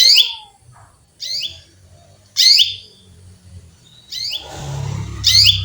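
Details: A female canary calling to a male gives five bright, high chirps about every second, with a brief rustling noise and low hum in the background.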